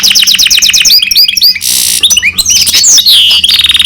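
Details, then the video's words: Goldfinch × canary hybrid delivering a busy song: quickly repeated chirps, a harsh hissing burst, twittering notes and a closing rapid trill, high and strong, with a low background hum. "Гибрид щегла с канарейкой/ سایره کنری/ hybrid of goldfinch and canary"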